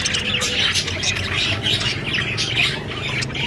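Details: Budgie parrot chattering in quick, high twittering chirps mixed with short squawky notes, steady throughout, over a low background hum.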